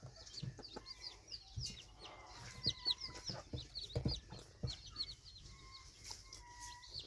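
Red junglefowl chicks give a steady stream of thin, high peeping chirps, many overlapping, with a few longer level whistles and some low thumps and rustling.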